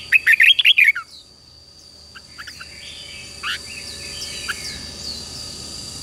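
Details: Red-whiskered bulbul song for training wild-caught young birds to sing in the morning: one loud, quick run of warbling whistles lasting about a second, followed by faint distant chirps and a steady high tone.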